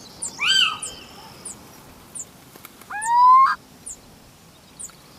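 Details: Little owl in Spain giving one drawn-out rising call, sliding upward and ending abruptly, with short high ticking notes repeated about every half second throughout and a fainter call at the start.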